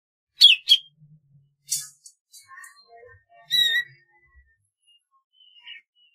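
A golden-fronted leafbird gives a varied song of sharp, squeaky notes and clear whistles, shifting between high and mid pitches with short pauses between phrases.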